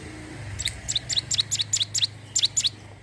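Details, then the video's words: Ciblek gunung, the Sunda warbler, recorded to pull in wild birds: a short series of thin, high, downslurred chirps over a steady low hum. "cigun gacor siap pancing burung bahan"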